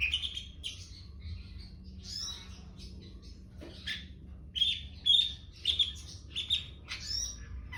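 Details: Young long-tailed shrike giving scattered scratchy, buzzy chirps and short harsh notes, quieter at first, then louder clustered bursts near the end over a steady low hum.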